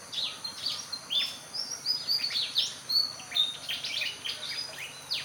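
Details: Pied Fantail with high, clear, pleasant tones: a lively stream of sharp high chirps and short falling whistles, delivered in quick uneven bursts throughout, over a faint steady background hiss.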